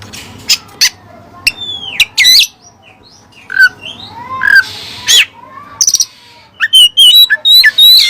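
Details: Oriental magpie-robin song with Cililin material: varied pure whistles, downslurred and upslurred notes, and loud scratchy bursts, ending in a rapid run of high warbled whistles.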